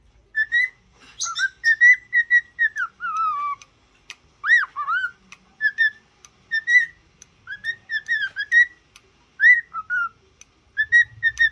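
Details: Cockatiel being trained to sing and talk, giving a long run of clear whistled notes near one pitch, some slurring downward, in quick bursts with short gaps; quiet background.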